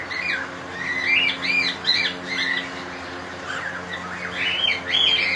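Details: A colony of cockatiels calls almost continuously, rising-and-falling screechy whistles from several birds overlapping at an uneven, rapid pace over a faint steady hum.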